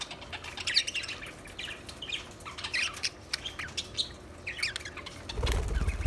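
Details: Budgerigars chirping in a steady stream of soft, high, scratchy notes, ending with a low thump or handling noise.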